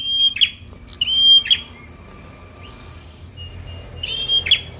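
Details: Semi-young Bar-winged prinia, fighter song meant to stimulate reluctant birds. Three sharp phrases of steady high whistle and buzzy ending, the first two close together, with faint thinner notes in between.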